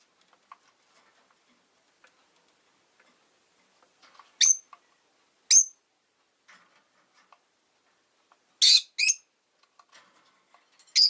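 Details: Rosy-faced lovebirds, five kept in a window-side cage, calling in winter: scattered faint clicks, then sharp high chirps with whistled tips, a paired harsh burst, and a final piercing call.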